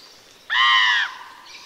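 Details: Adult common raven call played back during an evening talk on scary birds at Forest Park Nature Center, Peoria Heights, before Halloween: one harsh, drawn-out note lasting about half a second, rich in overtones, over quiet room hush.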